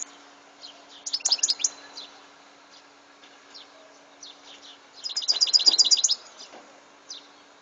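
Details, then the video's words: European goldfinch song: two bursts of fast, high, jingling twitter notes, with soft scattered chirps between them. "Chant de chardonneret"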